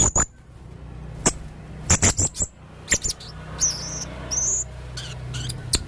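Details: Chatty male blue-crowned hanging parrot: scattered sharp clicks mixed with thin, high, level whistles and short squeaky chirps, over a low steady hum.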